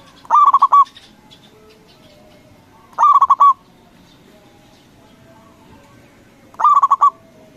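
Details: Local zebra dove with a big voice, played to make opponents answer: three evenly spaced bursts of fast, stuttering, hollow coos, each about half a second long and repeated roughly every three seconds.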